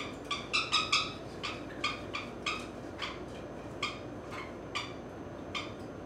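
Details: Sixteen-year-old female pet Grey-cheeked Parakeet, adopted and still shy of hands, calling while enjoying a long, rough back scratch indoors; a run of harsh, raspy squawks, clustered near the start and then spaced about every half second.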